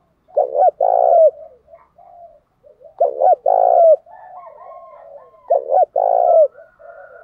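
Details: Fighting-provocation song of a spotted dove: three matching phrases, each a short coo followed by a longer rounded one that bends downward, spaced about two and a half seconds apart, with soft murmured notes between.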